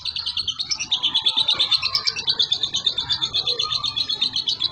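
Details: Young caged lovebird from a Boyolali collection, Indonesia, singing in the continuous konslet style, said to be drug-free and a frequent winner at training contests; unbroken high chattering trill of rapid buzzy twitters, pulsing about three times a second.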